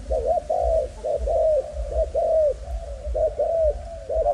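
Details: Spotted dove of a Malaysian strain, a young breeding bird, cooing in soft, hollow, mid-pitched notes grouped in short phrases, each phrase a quick pair of coos followed by a longer, slightly falling coo, with low rumbling background noise.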